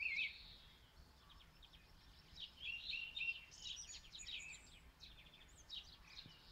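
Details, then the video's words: Song thrush heard distantly in Zala county, Hungary, on a phone recording: a wavering whistle opens, followed by fast jumbled scratchy and whistled notes forming varied melodic strophes over light hiss. "Énekes rigó (Turdus philomelos) énekhangjai (song)"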